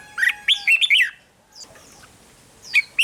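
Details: Red-whiskered bulbul song played to excite caged birds: a quick phrase of four or five loud slurred whistled notes, then near silence, and a short two-note fragment at the end.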